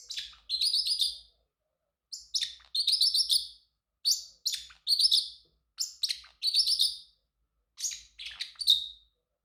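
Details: A male pet Pacific parrotlet gives bursts of high, buzzy chirps and harsh chattering notes, about six phrases with short pauses between them.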